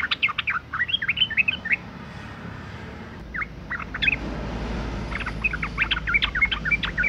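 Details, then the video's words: Female sooty-headed bulbul in breeding condition calling males; rapid runs of short chirping and twittering notes, broken by a quiet gap of about two seconds before the chatter resumes over a low hum. "suara panggilan burung trucuk betina gacor birahi"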